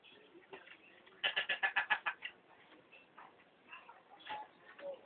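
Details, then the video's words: Pet hill myna imitating human speech learned from hawkers passing the house. A rapid run of about eight clipped, repeated syllables, then softer scattered chatter and faint voices. "Burung Beo Bisa Bicara jualan Tape,,cari uang perak.."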